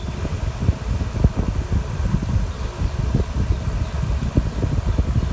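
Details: Loud, low engine rumble with fluttering, fan-like mechanical noise throughout; no animal voice is heard.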